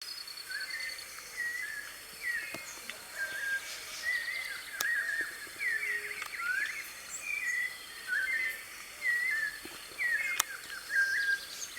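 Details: White-necked thrush singing free in the wild, recorded live: soft, short whistled phrases near mid-pitch, repeated roughly once a second among faint chirps of other birds and a steady high insect hum.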